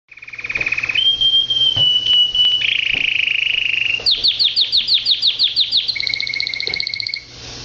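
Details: Pet canary singing a loud, high song of sustained pure tones held for about a second each, shifting pitch, then a fast run of repeated downslurred chips and a steady closing note, with a faint low hum beneath.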